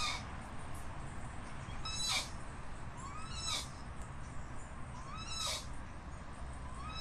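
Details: Crested guan calling with rising-then-falling yelping notes alternating with harsh broadband bursts, a few calls over several seconds against constant low-frequency background noise.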